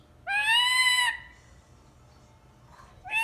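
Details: Pet ring-necked parakeet uttering a drawn-out, grating screech of about a second, then quiet before another harsh call begins at the end.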